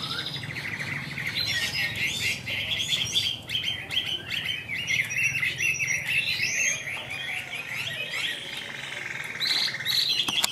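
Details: A captive Tam Hoàng Chinese hwamei sings continuously, a dense, varied run of high bright chirps, trills and quick whistled slurs with few pauses, over a faint low background hum.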